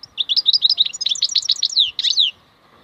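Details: European goldfinch, local name maknine khalwi, in a wild-caught singing phrase: about two seconds of lively, varied, high liquid chirps and slurred notes, ending abruptly.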